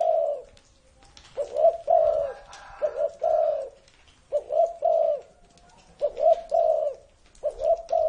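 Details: Spotted dove over thirty years old, giving repeated low cooing phrases of two to three mellow notes. Phrases return about every one to two seconds, with faint chirps from other birds in the background.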